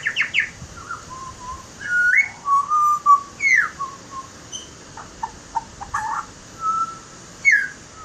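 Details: Butcherbird song of rich fluted whistles, some swooping up and others gliding down, in short phrases with pauses, mixed with a few quick clipped notes.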